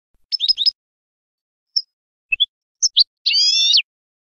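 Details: European goldfinch clean contest-style song, recorded for training young goldfinches: high, bright twittered notes in quick clusters separated by short silences, ending in a sustained buzzy, liquid trill.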